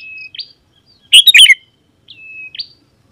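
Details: Song of a vigorously singing sooty-headed bulbul, used to call wild rivals. A level high whistle sweeps upward, then one loud gurgling burst follows. Another whistle with an upsweep closes the clip.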